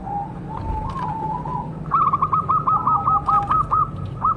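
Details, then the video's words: Local zebra dove at a homemade bird trap, heard fainter and farther off: a fast rolling series of slurred coo notes, partly masked by steady low background noise and other distant doves. "Perkutut Lokal Gacor"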